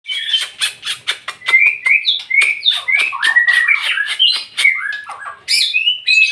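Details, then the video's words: White-rumped shama singing loudly: a rapid, varied stream of whistled phrases, bright slurs and harsh chattering notes delivered almost without pause. "MURAI BATU VOLUME TEMBUS"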